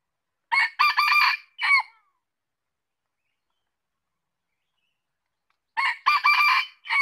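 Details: Two crows from a red junglefowl about five seconds apart, each a quick string of harsh, choppy syllables ending in a short tail note, with quiet between them.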